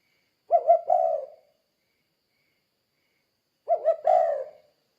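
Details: Spotted dove in "kuk 2" style, played to stimulate other doves to call. Two brief phrases, each a quick double coo followed by a longer, fuller note, about three seconds apart.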